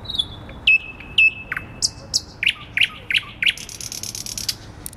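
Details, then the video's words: Night song of a thrush nightingale in May, Warsaw city centre, the bird hidden in thick branches just above a listener on a bench; a long whistle falling in steps, then loud spaced chock notes and a high rattling trill. "Słowik Rdzawy śpiewa w centrum Warszawy"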